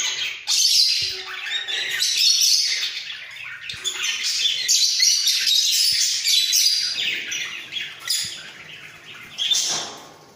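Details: Pair of budgerigars in a breeding cage, bobbing as they sing; rapid chirping warble with scratchy squawk-like notes, swelling and fading in waves, tailing off quieter toward the end.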